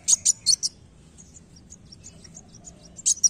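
A sunbird gives very high, sharp, thin notes: a quick burst of four, softer scattered ticks, then two more sharp notes, over a faint low hum.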